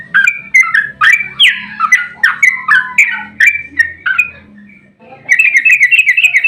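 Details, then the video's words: Sooty-headed bulbul in fighting song, played to make other bulbuls answer. A fast run of loud, slurred, bubbly whistles for about four seconds, a short lull with low hum, then a higher, twittering burst of notes. "Trucukan GACOR ROPEL TERPANJANG buat pancingan trucuk agar cepat bunyi"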